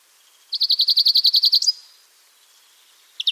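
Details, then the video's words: Wild European greenfinch giving one fast, even trill of about a dozen notes lasting a second, ending in a brief upslurred note, then the start of another trill. "chant et cri du verdier / song & call of greenfinch"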